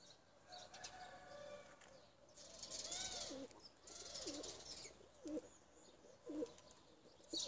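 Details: Domestic tumbler pigeons give throaty rolling coos, some short and abrupt, overlapping a whooshing flutter of wings and steady background hiss.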